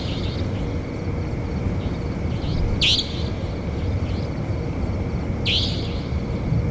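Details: Savanna nightjar calling, two sharp rasping shrieks about two and a half seconds apart over a steady rural hum, with faint fainter chirps in between.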